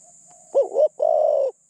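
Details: Decoy spotted dove kept captive to attract wild doves: a single low coo phrase opening with a bouncing double note and ending in a sustained flat coo, with a faint tail of an earlier coo and steady high hiss.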